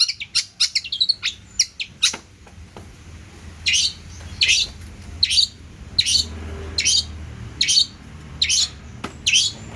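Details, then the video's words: Long-tailed shrike in full song with many fills, opening with a fast flurry of sharp chips, then slower harsh rasping notes repeated roughly once per second. "CENDET GACOR ISIAN MELIMPAH!!"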